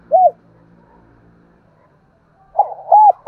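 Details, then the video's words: A spotted dove heard in the morning: a single arched coo, a pause with a low hum, then two more soft coos closing the stretch. "Tiếng cu gáy gọi buổi sáng"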